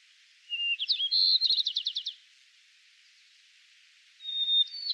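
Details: Male White-crowned Sparrow singing in Yellowstone National Park, one of two song types: a clear whistled opening leading into buzzy notes and a rapid high trill, with the whistled start of a second song at the end.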